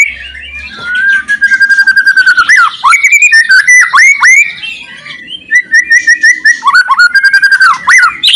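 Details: White-rumped shama song aimed at getting silent shamas to sing: rich varied whistling with long level notes, quick rising and falling slurs and dense bursts of rapid phrases.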